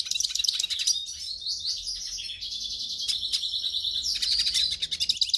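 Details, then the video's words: Hooded siskin, song for warming up a caged bird: continuous high twittering with long buzzy trills and quick chirps, briefly softer near the end. "CANTO do PINTASSILGO para ESQUENTAR"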